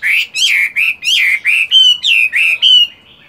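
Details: Chinese hwamei kept as a caged fighting bird, still practising song in the morning while moulting: about ten loud, evenly spaced whistled notes, each slurring up and down, in a quick rolling series.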